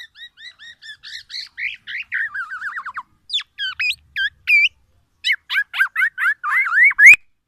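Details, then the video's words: A black-naped oriole sings oriental magpie-robin mimicry, meant to challenge rival orioles: a quick series of paired chirps, a descending rattle of notes, then sharp upswept calls and rapid warbling toward the end. "KEPODANG EMAS,black naped oriole , FULL ISIAN MURAI BATU"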